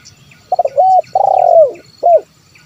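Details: Zebra dove call used to lure wild birds: short stuttering notes, a steady coo, a long rolling trilled coo sliding downward, then one clear final coo.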